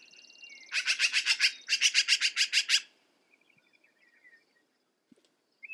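A Black-billed Magpie gives a harsh, rasping chatter of about a dozen rapid notes in two quick bursts, then falls quiet apart from faint distant chirps.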